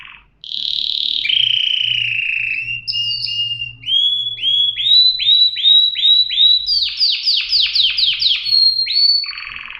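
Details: Singing canary giving drawn-out whistles, then rising notes repeated about three per second, then a rapid run of high sweeping trills and a final held note.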